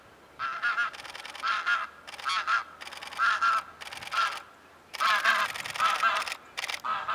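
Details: Cape Barren geese flying overhead toward a lake under blue sky on Phillip Island give hoarse, grunting honks in bursts roughly every second, several birds calling together.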